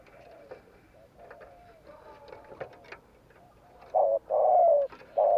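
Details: Spotted dove 'gù kích' coo for stirring up wild doves: soft background chirps and faint coos at first, then loud cooing near the end, a short note, a long coo and another short note.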